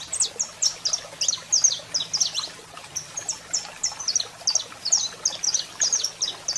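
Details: Saffron finch male in song while a female calls, used for training: quick high chips and short slurred notes, clustered in bursts, thinning slightly midway, faint low hum behind.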